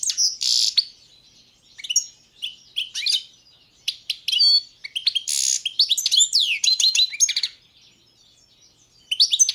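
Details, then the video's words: {'caption': 'European goldfinch of the Balkan subspecies balcanica singing a lively twittering song of bright chirps, quick trills and sweeping whistles, in bursts separated by short pauses, with a buzzy chattering note near the start.'} "Pesma štiglića, češljugara , grdelina, lokera carduelis balcanica"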